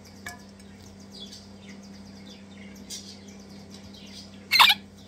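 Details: Crimson Rosella chicks, two of them, being hand-fed and eating eagerly and messily: faint scattered chirps, then one loud, grating squawk near the end over a quiet, humming background.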